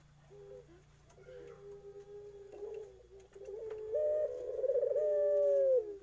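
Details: Young Eurasian collared dove cooing in a run of soft low notes that swell and grow louder, ending in a sustained, slightly quavering tone.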